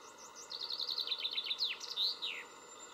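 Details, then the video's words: Common chaffinch singing while perched: a quick run of bright, high repeated notes that speeds up, drops in pitch through several slurred phrases and ends in a sharp downward flourish. "Pěnkava obecná - Fringilla coelebs"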